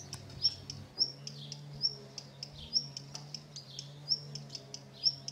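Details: Summer 2016: a tree pipit nesting on a terrace, where it raised four chicks. Thin, high chirps repeat roughly every half second, some sharper and louder than others, over a steady low hum.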